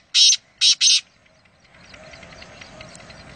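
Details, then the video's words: Kala teetar, the black francolin, near Nawabshah: three short, piercing, grating chirps in quick succession, then soft background noise. "Kala Teeter | High Pitched Chirping Sound Voice | Francolin | Black Partridge"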